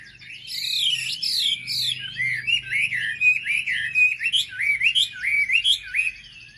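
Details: Song of a hill prinia played to rile other birds: a rush of high buzzy notes gives way to clear, rolling slurred whistles, each dipping and rising, over a faint low hum.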